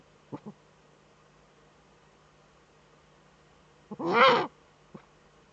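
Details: Female Eurasian eagle-owl in her breeding niche, nest camera, northern Rhineland-Palatinate, Germany, 5 May 2013; two faint clicks, a long pause, then a loud grating hiss-like rasp and one final click.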